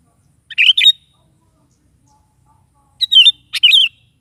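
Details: Sooty-headed bulbul in morning song, played to get a kept bulbul singing back: a short bubbly phrase, a pause of about two seconds, then a longer run of rich warbled notes.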